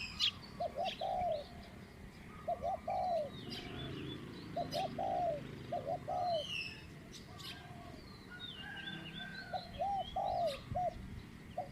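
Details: Spotted dove decoy trapping with a captive bird giving a middle-pitched coo: mellow repeated coo phrases of two to four notes roughly every two seconds, with other small birds chirping faintly in the background.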